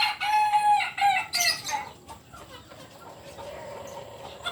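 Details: Crowing Kukuak Balenggek rooster, biriang merah (red) and landiak class, native to Solok, West Sumatra: the loud tail of a multi-syllable crow in rapid pulsed segments, fading out after a second and a half into quiet background chirping.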